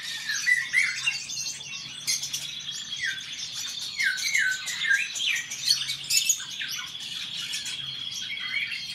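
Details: Song duel of male Eurasian golden orioles, repeated short descending fluted whistles in a series, accompanied by steady high-pitched twittering and chirping from surrounding birds.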